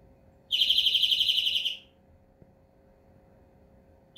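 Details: Greenfinch singing one sustained buzzy trill, rapidly pulsed and steady in pitch for about a second and a half, then silence before another begins.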